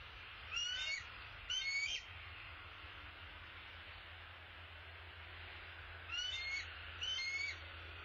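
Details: Male bald eagle bringing an opossum to the nest, calling in two pairs of high, squeaky notes separated by a long quiet gap, somewhat distant, over a steady low hum.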